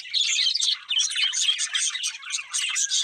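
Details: Budgies chirping, fast bright tweets and warbled chatter in quick uneven bursts, a clean recording with no other sounds.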